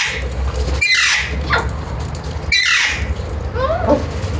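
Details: Alexandrine parakeet giving harsh, descending squawks, two loud calls about one and a half seconds apart followed by softer chattering notes, over a steady low hum of traffic.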